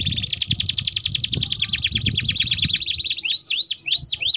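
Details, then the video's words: Singing canary in a long roll for luring and tutoring young canaries: a very fast, even high trill of rapid notes, then slower, clear swooping whistles repeated about three times a second, with faint low background rumble. "Kenari Gacor Ngerol Panjang Untuk Pancingan || Cocok Untuk Masteran Kenari Paud"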